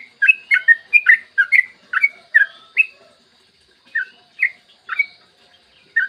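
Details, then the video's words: Yellow-vented bulbul in lively morning song, a lure for getting other bulbuls singing: a fast run of bubbling whistled notes for three seconds, then slower, spaced single chirps. "PANCINGAN TRUCUKAN AGAR BUNYI burung TRUCUKAN GACOR ROPEL PANJANG"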